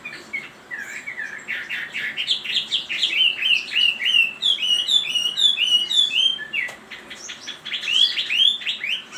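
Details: Chinese hwamei singing a fast, unbroken stream of varied, rich whistled phrases, with sharp rising and falling slurs and rapid trills, loud throughout with a brief break near the seventh second before the song resumes.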